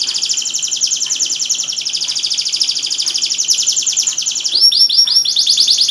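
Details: Canary singing played to make silent canaries sing: a continuous high, rapid buzzy trill for several seconds, then a switch to louder, bouncy down-slurred repeated notes.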